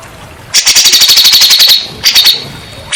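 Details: {'caption': 'Grey-cheeked bulbul sound used as therapy to get silent or stressed birds singing: a dense rattling run of rapid, sharp high notes lasting over a second, then a shorter burst and a final clipped note.'}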